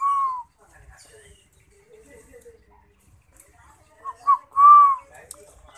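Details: Spotted dove (derkuku) in active song gives a single smooth, arched coo. Quiet shuffling and faint voices follow, then two short clipped notes lead into another drawn-out hollow coo.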